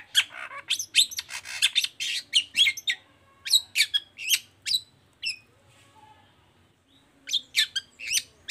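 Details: Long-tailed shrike singing in the 'toet toet' style to stir other shrikes: rapid high squeaky and scratchy notes, a pause with a few faint tones, then another quick burst.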